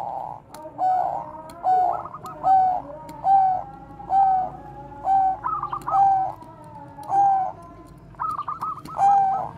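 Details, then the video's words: Zebra dove of the Bangkok type, a lure bird for training other doves, in a long run of cooing: bubbling trilled phrases alternating with clear held notes, roughly one per second, with faint clicks. "perkutut BANGKOK BEKUR KOAR-KOAR bagus untuk PANCINGAN PERKUTUT"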